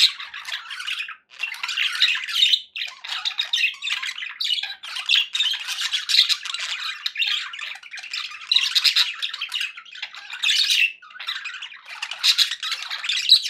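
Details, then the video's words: Pet budgies in a long, restless flow of harsh squawks, scratchy warbles and chirps, nearly continuous with a few short breaks, meant as companionship sound for pet parakeets. "1 hours of budgie sounds for pet parakeets to make tham happy"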